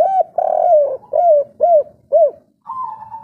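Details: A local wild spotted dove gives a three-part coo pattern: a run of soft, mellow, arched coos about half a second apart, ending in a steadier, slightly higher drawn-out note.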